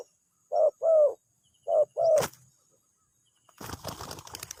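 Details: Spotted dove lure call meant to provoke an immediate answer: two low paired coos, short then long, followed by a sharp knock and then broad rustling, handling noise.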